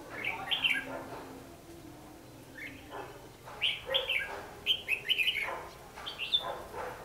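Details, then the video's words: Red-whiskered bulbul fighting song used to lure birds into a trap, 14 December 2015: lively runs of loud, sweet warbled notes, repeated in several phrases with brief gaps. "Bẫy đấu chim chào mào"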